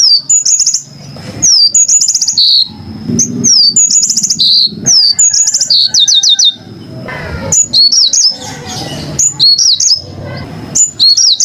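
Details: Yellow-fronted canary, known locally as Mozambik, recorded very clearly: bright high chirps and short rising-falling whistled phrases in bursts, over a long steady high whistle, with brief pauses and a faint low rumble.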